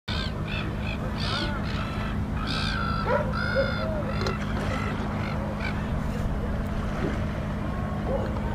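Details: Male Fuegian steamer duck, a flightless duck, preening at Dalcahue, Chiloé, giving short, nasal, harmonic calls in irregular bursts about once a second, over a steady low rumble of wind or surf.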